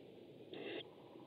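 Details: Tawny owl (kodukakk) at a webcam, 7 May 2014: one harsh, raspy burst lasting about a third of a second, set against a steady background hiss.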